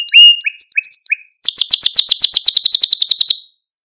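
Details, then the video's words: Male Maltese canary song used for stimulating other canaries: a few short whistled chirps at steady pitch, then a fast, loud series of about twenty sharp descending notes before fading to silence. "Etkileyici Malta Kanarya Ötüşü Ve Erkek Kanarya Sesi | 1 Saat Kesintisiz | Kanarya Kızıştırma"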